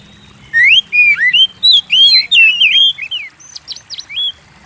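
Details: Oriental magpie-robin pouring out song meant to provoke kept birds: a fast, continuous series of rich rising and falling whistles, followed by softer, thinner high notes, with a faint low hum underneath.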